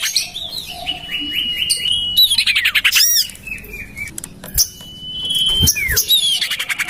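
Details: Common iora call played as a bird lure, tested in a house garden: stepped whistled notes, rattling chatter, then a drawn-out level whistle and a quick falling slur among busy high twittering.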